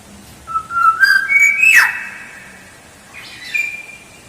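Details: Black-naped oriole song for luring: one rich fluty phrase climbing stepwise to a sharp swooping note, followed by a shorter whistled fragment, with a faint low hum beneath.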